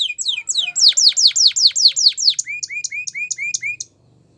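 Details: Singing canary delivering a fast series of sharp downslurred chips, about four per second, followed by a softer run of short rising whistles before the phrase stops.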